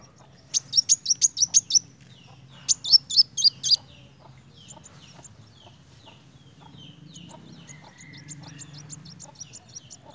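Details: Two short bursts of fast, shrill repeated chirps from a kolibri wulung sunbird singing narung, followed by softer, scattered high notes and faint background sounds.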